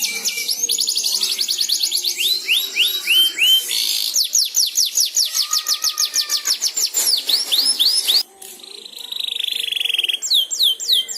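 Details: Young canary learning its ngeriwik twitter, lured by another canary's singing: long varied song of fast rattles, repeated swooping whistles, a drawn-out buzzy note and a brief pause before more downslurred notes.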